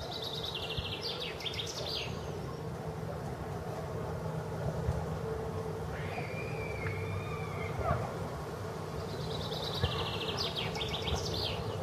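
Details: A common chaffinch at the Tsaritsyno museum-reserve in Moscow on 18 April 2015 sings twice. Each song is a bright, quick run of notes tumbling downward into a final flourish, with a softer call from another bird between them over a low traffic rumble.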